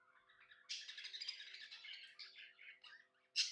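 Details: Happy pet budgie giving a dense burst of scratchy, buzzy warbling, then a sudden loud high squeak at the end.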